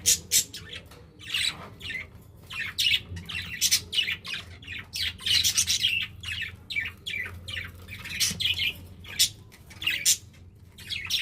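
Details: Pet budgerigars, several, eating and showing affection indoors: dense bursts of short, scratchy high chirps and warbles, tumbling over each other in quick irregular runs, with a low steady hum underneath.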